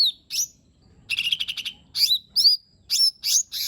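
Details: Lesser green leafbird singing a mix of mimicked phrases to coax a lazy bird into song: a fast buzzy rattle followed by sharp whistled notes that swoop down, each about half a second apart.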